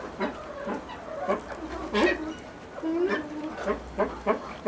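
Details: Blue eared pheasant at a pheasant breeding farm, giving short, harsh, nasal clucking notes in irregular bursts of two or three, with a longer drawn-out note just after three seconds, over a faint low background hum.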